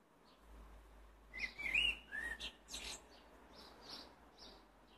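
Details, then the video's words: Blackbird singing: a low fluted warble slides around the middle of its range, then breaks into a burst of thin, high squeaky twitters. Faint background hum throughout. "Black bird singing"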